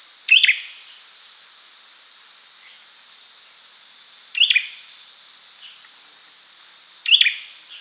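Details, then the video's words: Cinenen jawa, the olive-backed sunbird, calling three times at spaced intervals of about four and three seconds; each call is a brief high twisting chirp with a short buzzy trail, over constant faint hiss. "Suara cinenen jawa || Cyninniris jugularis || Call and Song Jernih"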